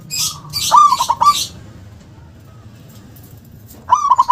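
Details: A local perkutut, or zebra dove, sings loudly with a forceful "KUNG". One stuttering coo phrase of four pulsed notes ends in a held tone, and a second phrase begins near the end. Hissy, high-pitched chatter overlaps the opening.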